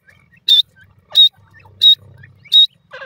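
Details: Grey francolin adult with its chick, having fun together: four loud, clipped, high notes spaced roughly 0.65 seconds apart, with a low murmur and faint soft chirps between them and a rough burst at the end.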